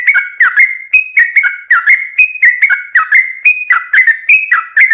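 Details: Lure song of a lively yellow-vented bulbul, meant to draw other birds. A quick loop of two-note liquid phrases, one high and one lower, repeats about twice a second with no other sounds.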